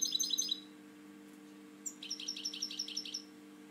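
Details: Caged European goldfinch, a breeding bird with a slightly drooping wing, gives a short twittering phrase, falls silent, then repeats a high chipping note about eight times in quick succession against a soft electrical hum.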